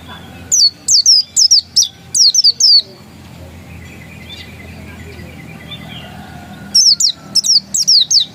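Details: Dakun-type Oriental white-eye described as still original: two bursts of bright, high, down-slurred chirps separated by a quiet interval of several seconds with faint background noise.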